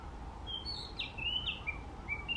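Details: A wild Chinese Hwamei in Japan sings loudly, a quick run of clear whistles slurring up and down and shifting pitch from note to note, over a low background hum.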